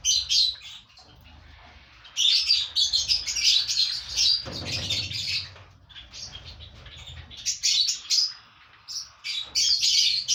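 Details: In a colony of five breeding pairs, lovebirds chatter in piercing, squeaky runs. A quiet gap follows, then a brief low thump and renewed bursts of shrill twittering.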